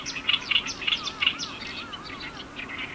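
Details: Several Oriental reed warblers at Iwakuni, Hiroshima, on 18 May 2021 give harsh, grating chattering notes in quick bursts, overlapping, with a faint repeated arching tone beneath.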